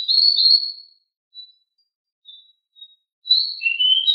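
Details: Pied bushchat singing in the rolling 'ngeroll' style, described as very agile and very loud: a high trilled phrase, a few faint short notes, then another rapid warbled burst sliding lower at the end.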